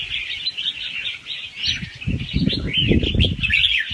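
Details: Young wild red-whiskered bulbul singing soft, fast rounds with a doubled trick; looping whistled twitters and upward-sliding notes over noticeable low rumbling noise in the second half.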